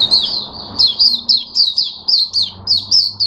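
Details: Oriental white-eye in captivity, 'buka sing' open song, 5 May 2022: a steady series of about ten high, slurred chirps, each dropping slightly in pitch, delivered several per second.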